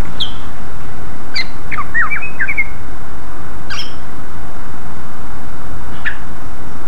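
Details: Lure song of a greater green leafbird, sung energetically to attract a response from rival leafbirds: sharp isolated chirps with a quick cluster of twisting warbled notes in the middle, steady hiss underneath.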